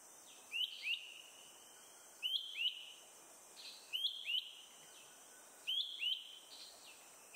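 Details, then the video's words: Malaysian hawk-cuckoo (Hierococcyx fugax) perched high and calling nonstop in Selangor, Malaysia, April 2021, after eating a caterpillar; piercing upslurred two-note phrases repeated about every one and a half seconds over quiet background. "calling loud... Malaysian Hawk-Cuckoo"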